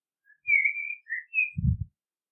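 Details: Common blackbird warbling a smooth, fluty phrase of slurred whistles, followed by a dull low thump.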